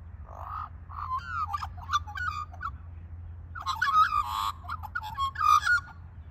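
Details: A magpie's morning song: a rich, fluted warble of rising and falling mellow notes in two bursts, with a low steady hum underneath.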